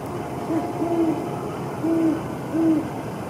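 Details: Great horned owls, a pair, in January 2022 while mating: low soft hoots in short bursts, a double note followed by two longer even hoots about half a second apart, over steady background traffic hum.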